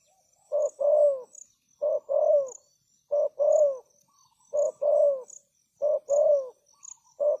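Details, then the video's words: Decoy spotted dove cooing to entice wild doves, giving six regular phrases about every 1.3 seconds. Each has a short note followed by a longer, softly falling coo, accompanied by continuous high insect ticking. "Chim cu gáy chiêu kích mồi tập bổi nhanh nổi hiệu quả"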